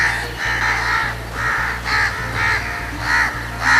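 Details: Crows facing danger give harsh scolding alarm calls that draw nearby crows into a mob hounding a person. About seven rough, loud caws come in quick, uneven succession over steady background music.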